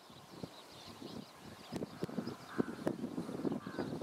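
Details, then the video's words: A Western Reef Heron at a small pond in the Hessarghatta lake bed gives low, harsh, guttural croaks in an uneven run of short bursts, with a faint rumble of outdoor noise behind. "Western Reef Heron"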